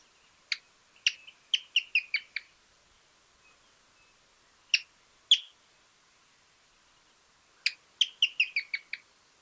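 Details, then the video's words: Pearly-vented Tody-Tyrant recorded in Argentina: sharp clicking notes accelerating into a short descending series of about six, then two isolated notes, then the quickening series again; quiet surroundings. "Mosqueta ojo dorado"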